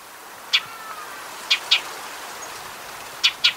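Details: Shining sunbird in a natural desert setting of Africa or Arabia: five sharp, high chip notes, single or in close pairs, spaced irregularly over a quiet, faintly hissy background.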